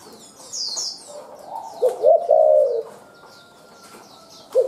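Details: Wild spotted dove with a fast calling style: a clipped coo, then a longer throaty coo around the middle, and a single fresh coo starting right at the end. Other small birds chirp in the background.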